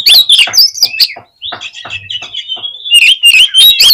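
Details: Oriental magpie-robin singing to provoke rival magpie-robins: harsh scratchy notes, then a long level whistle, then quick rising and falling chirps.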